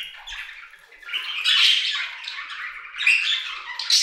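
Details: Aviary budgerigars singing: a quieter start building into dense high chattering warbles with squeaky whistled notes and short squawks, rising and falling in loudness.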